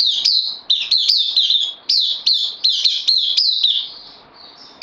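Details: Newly arrived caged bulbul on loan, 12 September 2020: a lively, almost continuous string of about a dozen sharp, high chirps, each with a quick up-and-down slur, ending in a fading whistle and a final note.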